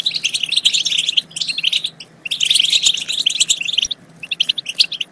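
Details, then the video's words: European goldfinch chatter used to stimulate goldfinches to sing and mate: two lively bursts of quick high chirps separated by a pause near two seconds, then sparse notes at the end. "بتبتات خرافية في تحفيز الحسون على التغريد"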